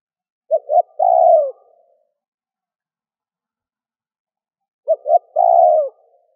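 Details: Spotted dove calling to rouse a decoy dove: a short double coo and a long mellow buzzy coo, repeated after about four seconds of silence, otherwise quiet.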